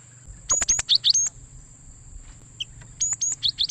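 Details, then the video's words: Cinereous tit lure call for catching wild birds: a quick run of piercing chips and rapid twitters, a short pause with one soft note, then the same sharp phrase again, with a thin high whine behind. "suara Gelatik Batu Pikat sangat Baik Untuk Mikat Burung Gelatik Liar"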